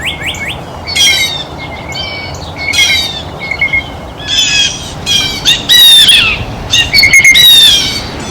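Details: Blue jays feeding at a feeder give harsh, nasal squawks in quick clusters. The calls are scratchy and strongly ringing, separated by brief gaps, over a steady outdoor hiss.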